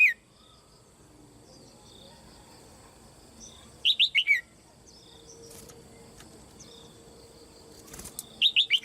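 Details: Caged female red-whiskered bulbul, calling to excite other birds into singing, delivers quick runs of four high, falling chirps spaced several seconds apart, with a faint low hum between them.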